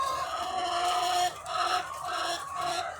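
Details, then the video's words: Egg-laying hens, thousands together on a farm, give loud, harmonic, drawn-out calls in short bursts, separated by brief dips, over a steady background of clucking. "The Sound of Thousands of Egg-Laying Chickens"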